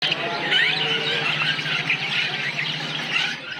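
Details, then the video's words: A parakeet colony: many parakeets chatter together in a dense, continuous wash of high squeaky chirps and warbles, with a low steady hum underneath. "Kicau Suara Koloni Burung Parkit | Parakeet Colony Chirping Sounds"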